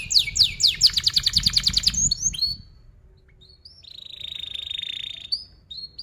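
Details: Canary singing a lure song for young birds learning its sound: a dense, fast rolling trill of repeated notes, a short pause, then a long steady buzzy whistle, closing with brief upslurred chips.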